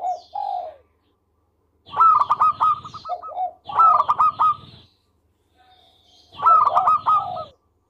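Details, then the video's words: Melodious local zebra dove in full song for bird training: three loud bursts of fast, stuttering coos about two seconds apart, each followed by a lower falling note, with short soft coos between. "Perkutut Lokal Gacor Suara Merdu"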